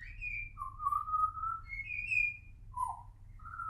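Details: Pied butcherbird (Cracticus nigrogularis), juvenile song.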